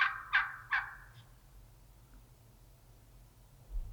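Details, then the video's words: A Merriam's wild turkey hen in Utah that gobbles and struts gives a quick, rattling gobble in three fast bursts within the first second, then only a low background rumble remains. "More of the Gobbling/Strutting Hen"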